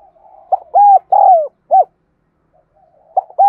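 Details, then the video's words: A spotted dove used as a lure bird gives soft low murmurs leading into four hooded coos, one longer and falling in pitch. After a short silence a new phrase begins with two more coos. "Tiếng Chim Cu Gáy Thúc Gù Gáy Gọi Mới Nhất || Chim Cu Gáy Mồi"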